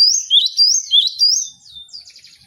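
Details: Cinereous tit in a song-training recording: four quick sweeping two-note whistles, high and clear, trailing off into soft twittering at the end.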